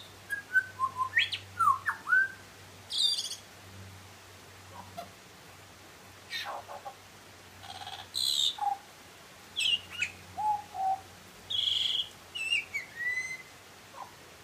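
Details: Song of a butcherbird over about fourteen seconds: varied whistled notes and quick slurs, some high clear tones and low short notes, delivered in loose phrases with gaps, over a steady low hum.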